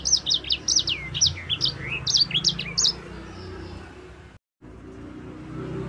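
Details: Yellow-fronted canary, known locally as sanger, singing for use as a songbird tutor: three seconds of rapid high chirped and slurred notes, then only low background noise with a brief dropout.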